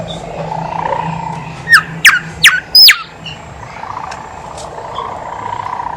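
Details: Horsfield's babbler in full song, played as a lure to prompt quiet birds to sing: four loud, sharp whistled notes sweeping steeply downward in quick succession over a steady background hum.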